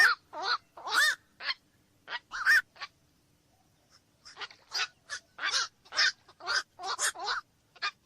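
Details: Black-crowned night heron giving harsh, croaking quok calls in two bursts of rapid, irregular notes, separated by a short pause near four seconds, possibly several birds overlapping.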